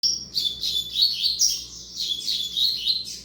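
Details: Male double-collared seedeater, offspring of a tournament-song bird, singing a fast, continuous run of high, sweet twittering and warbled notes with quick trills and slurred whistles, phrases flowing without pause.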